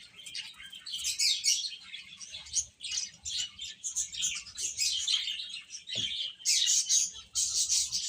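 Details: Chicks feeding and playing together; many thin, high-pitched cheeps crowd over each other in a continuous twittering mass, with one low knock near the middle.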